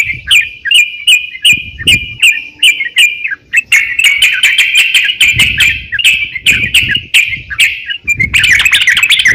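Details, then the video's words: Crocok-cokan singing for use as a songbird training master: a string of evenly spaced chirps at first, building into faster, denser twittering phrases toward the end. "crokcokan gacor siap jadikan masteran kicauan"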